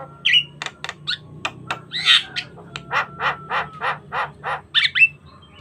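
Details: Asian pied starling song used to train other starlings, mixing sharp clicks, squeaky whistles and a steady series of harsh rasping notes, with a faint low hum underneath.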